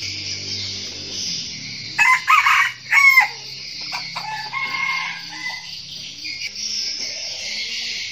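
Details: Red junglefowl decoy crowing meant to lure wild roosters: one short, rough, cut-off crow in the middle against continuous loud insect trilling and faint low hum.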